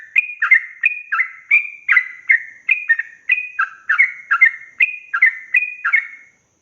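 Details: Tutor song for young yellow-vented bulbuls in the fast 'ropel' style: steady series of short bubbly notes alternating higher and lower, about two to three per second, ending in silence.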